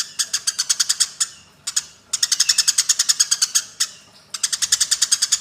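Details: Eurasian tree sparrows in a fight, kept as a training track for songbirds: nearly unbroken volleys of scratchy chirps at roughly three per second, with brief breaks between the volleys.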